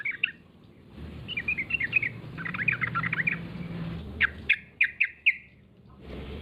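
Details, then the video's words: Yellow-vented bulbul calling as a lure for other bulbuls: a brief chirp, then a lively chattering warble, followed by four spaced, sharp clipped notes, with a low hum beneath. "suara pancingan trucuk gacor"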